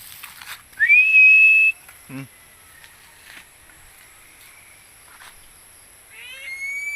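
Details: Philippine eagle, reported as hunting a barred rail (tikling), gives a single high, thin whistled scream lasting under a second, rising sharply then held level, followed by faint clicks and a weaker second whistle beginning at the end.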